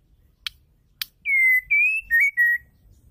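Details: Female white-rumped shama whose song is meant to make males sing: two isolated sharp clicks, then one loud whistled phrase of a steady note, a gently rising note and two short warbled notes.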